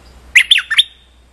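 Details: Nok dok taeng songbird from Thailand, a challenger squaring off against the resident male in a territorial fight and calling rather than singing: a short burst of two to three harsh, squawky, up-and-down notes over a quiet background.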